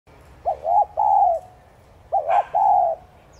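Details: Spotted dove call played to lure and stir other doves into cooing; two phrases, each a quick double coo followed by a long drawn-out coo, about 1.5 seconds apart, over a quiet low background hum.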